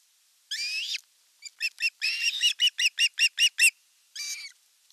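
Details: Osprey nest in Satakunta, Finland, 5 August 2024, elder chick attacking the younger during fish delivery: a harsh drawn squeal, then a rapid series of high piping whistles, ending with another grating call.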